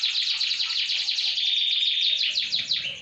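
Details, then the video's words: Canary lure song meant to prompt other birds to sing, a dense high rolling trill of rapid repeated notes running unbroken for three seconds. "Kicau pancingan kenari"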